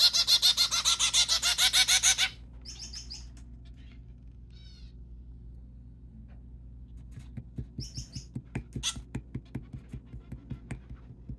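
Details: White zebra finch during hand feeding, 21 December 2023: a two-second burst of rapid nasal calls, then near quiet with a few thin chips and a series of soft rhythmic clicks.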